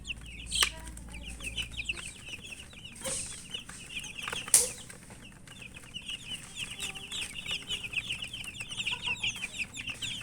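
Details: Young chickens peeping as they feed, a steady flurry of shrill descending chirps from several chicks, punctuated by a few loud knocks and pecking taps.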